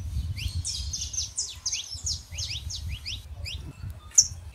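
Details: Saffron finch male and female, to warm up a quiet canary: a string of thin descending and rising chirps over steady low hum, one sharp bright note near the end.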